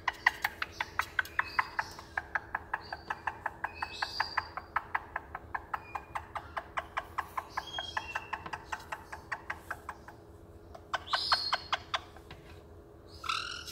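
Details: Pet caique, a male bird in a cabinet who likes hearing his own voice, clucking: rapid, irregular clicking notes about 150 a minute, mixed with brief whistled squeaks and a steady low hum.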